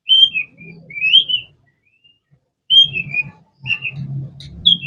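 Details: Long-tailed shrike (cendet) singing: clear whistled phrases, slurred and wavering, in two bursts separated by a pause of over a second, with low rumbling noise underneath.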